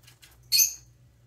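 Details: A baby parrotlet, preening, gives one brief, harsh, high chirp lasting about a quarter second, with faint rustling before it and a low hum underneath.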